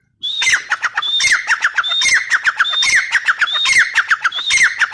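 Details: Female grey francolin repeats a loud, rhythmic call about six times in five seconds, each phrase a clear high whistle dropping into several rapid, descending squawky notes, with no other sounds.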